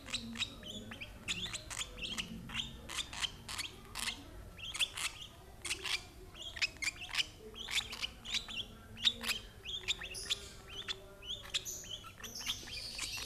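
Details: Lovebird taking food from an older sibling of the same parents; crisp shrill chirps repeat rapidly in uneven bursts for the whole stretch, some doubled, over a quiet low hum.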